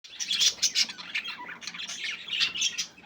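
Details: Several budgerigars playing, a dense stream of high chirps and warbled chatter, bright twittering notes overlapping with no pauses, steady busy flock sound throughout.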